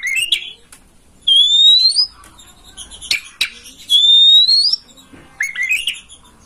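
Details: Oriental magpie-robin (kacer) master song, meant to make a kept bird open its tail and sing; clear rising whistles near one second long, separated by sharp clicks and short chattering notes, with quiet pauses between phrases.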